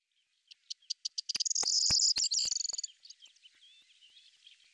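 A corn bunting gives a few high ticks that quicken into a dry, jangling trill, like shaken keys, then trail off. A few sharp clicks break in.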